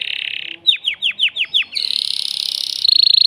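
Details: Agitated caged male canary, singing to arouse a female for mating, gives a buzzy tour, then six quick falling whistled notes, followed by a dense fast rattling trill that rises slightly in pitch.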